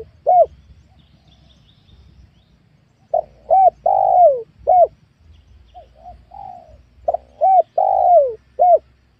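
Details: A wild spotted dove coos in a small oil palm plantation on newly worked land. It repeats mellow phrases of short clipped hoots and a long downslurred coo, separated by quiet gaps and faint murmuring notes.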